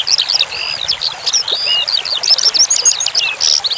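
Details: Branjangan (skylark) training song: a breathless stream of bright, high chirps and twisting whistled phrases, some notes repeated in quick succession, with a low steady hiss in the background.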